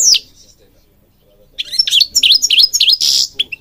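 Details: Singing European goldfinch from Morocco, recorded for training other goldfinches: a single high note, a silent second, then a quick series of descending twittered notes ending in a buzzy burst.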